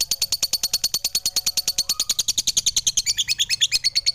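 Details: Lovebird chattering in quick high chirps, about three per second, becoming more varied and trilling toward the end, with a faint brief whistle in the background.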